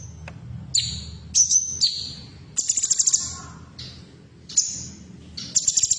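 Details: Sound of a female cucak cungkok bulbul used to prompt caged birds into song: repeated short, shrill high notes and brief fast trills in bursts, with steady low hum behind.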